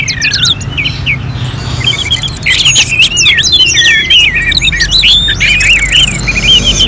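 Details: Orange-headed thrush from Singaraja, Bali, singing an energetic medley of warbled whistles and rapid squiggly notes, starting with a falling whistle and building into a dense, varied chatter.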